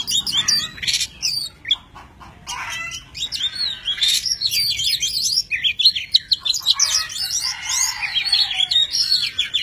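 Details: Singing tame Oriental magpie-robin, spreading wings and tail in a dance. Harsh chattering notes and clicks, then a quiet pause, then a long, lively stream of fast high warbles and whistles.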